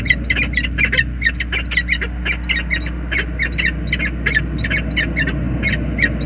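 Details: Nest greeting between a peregrine falcon pair on the James River Bridge: dense, harsh chattering calls in fast pulses, set against a deep droning noise.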